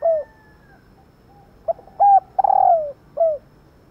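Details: A female spotted dove calls to prompt males to coo, giving soft, low hooting notes, short and slightly falling, in an uneven run of five over about four seconds, with one longer drawn note.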